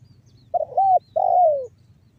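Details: Spotted dove (tekukur) lure call in the banggo bocor style, meant to prompt other doves to call: a short stuttered coo followed by a long drawn coo that slides downward, clear and close against a quiet background.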